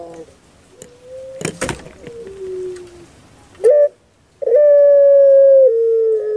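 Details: Puter pelung dove kept as a pet in Indonesia: faint low murmuring and a couple of sharp knocks, then a short coo and a long, slightly falling sustained hollow note.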